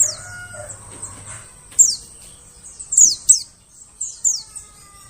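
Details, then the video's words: White-eye calls used to lure forest birds: piercing high downslurred chirps in irregular pairs and triplets over faint background noise and a low hum at the start. "suara pikat burung pleci"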